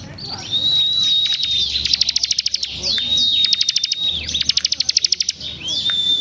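A Bar-winged Prinia sings: a thin, level whistle, then a rapid burst of sharp chipping notes, the phrase repeating about every three seconds.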